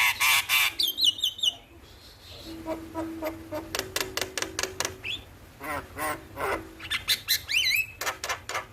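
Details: Jalak kebo (buffalo starling) singing in the morning for training birds; loud harsh squawks and wavering whistles, then long runs of rapid repeated clicks and chatter.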